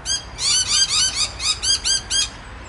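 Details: Rainbow lorikeet chatting to its companions at the Olinda Creek Trail, Montrose, Victoria: a fast run of loud, harsh, arched screeches, roughly six in under two seconds.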